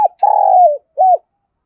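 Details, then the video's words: Decoy spotted dove in the 'thổ' voice style cooing to call wild doves; a long, steady, mellow coo followed after a short gap by a brief, arched second note, clean and close. "Chim Cu Mồi Gáy Gọi Bổi"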